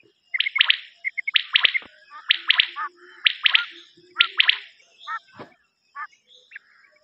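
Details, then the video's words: Common quail calling on a quail cassette recording: crisp triple-note phrases repeated roughly every second, followed by softer, scattered chirps near the end. "نیوبٹیر کی کیسٹ اوریجنل وڈیو"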